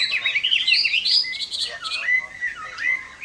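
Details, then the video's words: Fighting song of a Chinese hwamei on a summer midday, a stream of varied whistled and slurred notes, bright warbles early giving way to lower sweeping whistles. "HỌA MI CHIẾN HÓT TRƯA HÈ"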